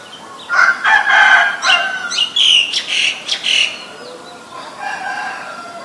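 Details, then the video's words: Female Asian koel giving a rapid burst of about eight loud, harsh, clipped notes over three seconds, followed by a few fainter notes, with a steady faint tonal drone running underneath. "นกกาเหว่าตัวเมีย (Asian koel, Female)"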